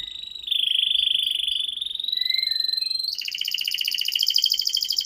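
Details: Canary singing to draw young canaries into song: a long sustained whistle gently rising in pitch, then a loud, fast, buzzy rolling trill.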